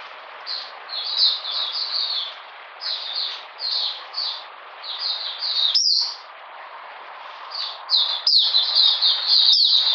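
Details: Oriental magpie-robin in cold, rainy weather on 13 June 2020, singing in separate clusters of high downslurred whistles, roughly four notes a second, with quieter gaps between bursts and a louder, denser run at the close.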